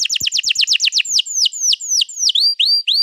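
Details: Canary song for prompting another canary to sing, recorded 21 April 2022: a quick series of steep falling notes, then slower dipping whistled notes repeated about three times a second.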